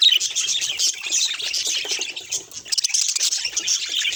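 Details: A budgerigar kept as a pet chattering nonstop in a busy, buzzy stream of high twittering notes. It briefly dips quieter near the middle before resuming at full intensity.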